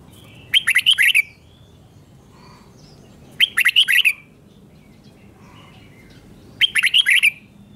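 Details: Red-whiskered bulbul kept in a cage, singing its doubled song for young birds to learn: three short bursts of rapid, bright whistled notes, each under a second, repeated about every three seconds against a quiet background.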